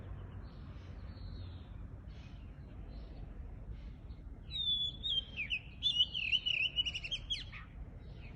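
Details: Countryside bird song: a few faint notes early on, then from about four seconds a clear high whistle followed by a lively, twittering warble with quick upward flicks, over a soft low background.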